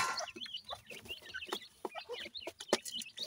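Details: High, thin chirps from grey francolin chicks (dakhni teetar) at feeding time, tumbling over one another in quick succession, with a few sharp knocks.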